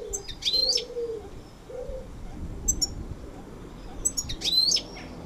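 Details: European goldfinch singing: two short bursts of high, tinkling, twittering notes, one near the start and one around four seconds, with single thin chirps between and low, soft cooing notes underneath.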